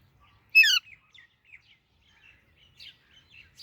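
A young Alexandrine parakeet gives one loud, harsh, rising chirp rich in overtones, followed by several faint, short high chirps over a quiet background.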